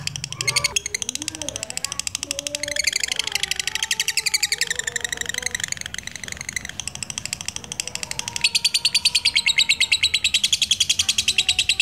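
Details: A black-eyed lutino lovebird, used as a lure for other lovebirds, delivers long rapid chattering trills, strongest near the end, mixed with wavering lower whistles and other bird sounds.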